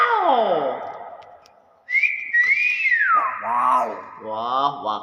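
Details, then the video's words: A Nias hill myna gives a falling whistle, then a loud rising-and-falling whistled phrase, followed by harsh, speech-like mimicked syllables. "BEO NIAS SUARA ASLI UNIK"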